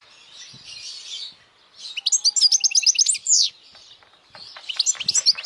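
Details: European goldfinch singing loudly, a song for young goldfinches to memorize and to bring in females: a quick burst of bright twittering notes and buzzy trills midway, then more scattered tinkling chirps over a soft hiss.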